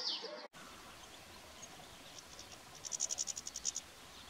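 A European goldfinch gives a quick run of about a dozen thin, high, tinkling notes in roughly one second, after a brief loud burst at the start and steady background hiss.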